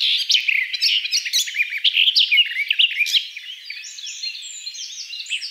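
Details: Garden Warbler song: a hurried, rich warbling torrent of varied high notes and short trills for about three seconds, fading into a quieter, thinner twittering as the phrase winds down.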